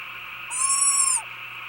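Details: Deep at night, a male Japanese scops owl anxiously guards the nest while the female lays an egg; it gives one drawn-out hoot under a second long, level then sliding down, over a steady insect-like hum.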